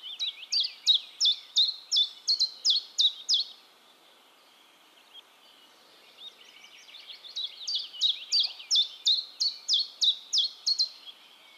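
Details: Common chiffchaff song from Heemskerk, the Netherlands, recorded with a RØDE VideoMic. Two bursts of bright, high, see-sawing notes at about three per second are separated by a quiet gap of roughly three seconds.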